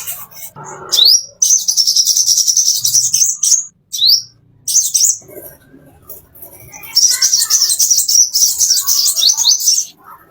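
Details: Plain-throated sunbird master song for training caged birds: rapid, high, buzzy twittering trills running in long unbroken bursts, opened by rising whistled sweeps, with brief pauses between phrases.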